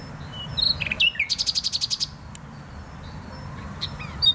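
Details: Nightingale singing in Poznań's Botanical Garden, Poland: brief whistles and chirps lead into a rapid, evenly spaced series of about ten repeated pulses, then scattered quiet notes.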